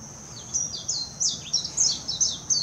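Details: Song of a warbling white-eye in Hashimoto, Wakayama, Japan, June 26 2021: a bright, high-pitched, jumbled twitter of short descending slurred notes in quick bursts, with a constant faint high whine behind.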